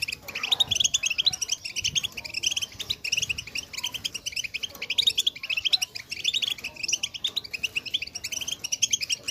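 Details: Group chirping of female European goldfinches, used to rouse males to sing. Rapid, high twittering phrases from several birds overlap continuously, bright and busy throughout.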